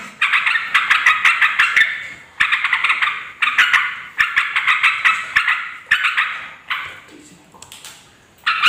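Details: Yellow-vented bulbul calling to draw in wild females and males; bouncy chattering phrases of rapid notes repeat in bursts, with a quieter pause near the end before calling resumes.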